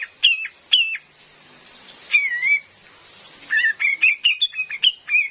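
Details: A female cream-vented bulbul, recorded for luring birds in forest, gives two sharp high notes, a wavering down-slurred whistle, then a lively run of about eight quick slurred notes.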